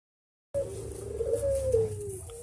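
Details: Puter dove giving one drawn-out, low cooing note that rises slightly then slides down, steady and clear, with a faint low rumble underneath.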